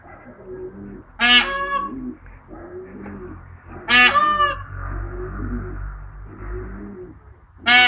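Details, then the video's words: Peahen answering a person in a call-and-response exchange: short, loud, harsh honking calls repeated about every three seconds, alternating with soft, low murmured sounds between them. ""Rozmowa" z pawicą"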